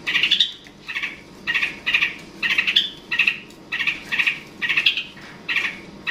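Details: Long-tailed shrike (cendet/pentet) provoking a rival: a steady series of rough, slightly lower churring notes repeated about every half second.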